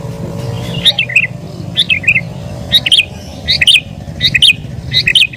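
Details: Sooty-headed bulbul singing agitatedly as a lure for wild birds; quick chirpy phrases falling in pitch, repeated under a second apart, with a steady low hum behind.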